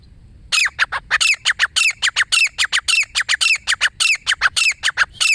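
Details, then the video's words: Wild female grey francolin, a lone bird, calling: after a brief silence, a fast run of loud, harsh, ringing notes bursts out, roughly two per second, each note sliding downward, continuing without pause to the end. "اکیلے جنگلی دیسی تیتر کی بولی"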